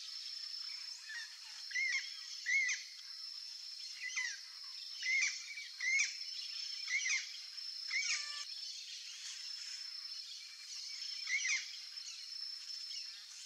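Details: Young turquoise-fronted parrot repeats bent, slurred calls in irregular bursts, roughly one to two per second, then falls quiet for a few seconds before resuming. A steady high-pitched insect-like whine runs throughout.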